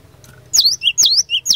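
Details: Cinereous tit, locally called glatik batu, singing in the lively 'gacor fighter' style used to provoke other birds into answering: three quick, bright, high whistled two-note phrases, each a sharp upslur then a lower note. Faint low hum behind.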